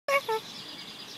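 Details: Kea at Rainbow Springs, Rotorua, New Zealand: two quick, nasal, harmonic notes, the second lower and slightly falling, over faint background hiss.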